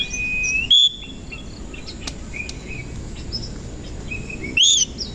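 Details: In the morning, an Oriental magpie-robin of the koci variety sings with its tail open. Two loud, rising whistled phrases about four seconds apart stand out over faint, thin whistles and steady hiss.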